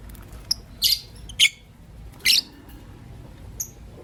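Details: Pet lovebirds, a green Personata and a pastel white, chirping in the morning: a few short, sharp, high chirps scattered irregularly over four seconds, with quiet pauses between.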